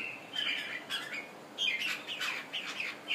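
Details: Red-whiskered bulbul of Thailand stock, a kept bird freshly out of its moult, gives a quick run of chirpy, bubbling notes, phrase following phrase with barely a break.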